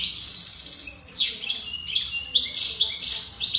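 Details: Wild European goldfinch in continuous song: rapid high chatter of tinkling notes, short buzzes and sharp down-slurred whistles, delivered in quick bursts with brief dips between phrases.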